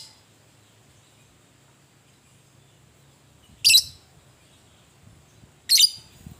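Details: Fighting lovebird in ngetik ngekek style. Two short, harsh, high screeching bursts about two seconds apart over quiet low hum.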